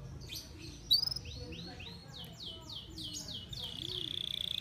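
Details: Canary singing while overly in breeding condition (over birahi). A sharp chirped burst is followed by a steady roll of repeated downward-sliding whistles, about two per second, ending in a sustained high buzzy trill.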